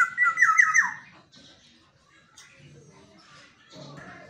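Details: Black-naped oriole kept as a caged pet and said to sing each dawn gives a short, loud, rolling whistled phrase at the start, followed by a second of quiet room noise and faint thumps.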